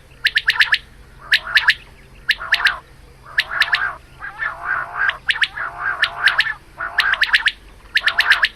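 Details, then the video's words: Morning calling of a female quail used for hunting: clusters of crisp, high ticking notes alternate with throaty, bubbling lower phrases, the pattern recurring about every second over a faint constant hum. "Female Batair Calling Suba"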